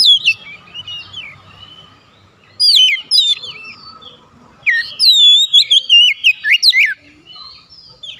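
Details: Oriental magpie-robin calling its fellows, which answer at once: soft warbled notes, then loud bursts of rich whistles and sharp slurred phrases in two long runs, with quieter trills between.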